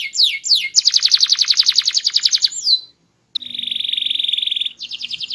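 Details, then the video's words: Canary, a small-bodied bird singing continuously with a loud, melodious, varied voice: two falling sweeps, a rapid pulsed trill, a brief pause, then a long steady buzzy roll and a higher trill. "Burung Kenari Gacor, Body Kecil Suara Keras Merdu Bervariasi"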